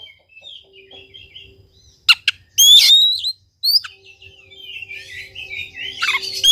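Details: Oriental magpie-robin (kacer) song meant to coax a quiet bird into singing: soft warbling notes, then sudden loud clicks and a bright, high, drawn-out whistle, followed by rambling twittered phrases that grow louder at the end.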